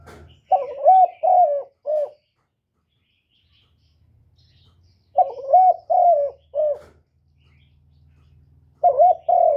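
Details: Spotted dove cooing to provoke rival males, used as a lure. Phrases of three to four low hollow coos, the middle ones longer and wavering, repeated about every four seconds with silent gaps between.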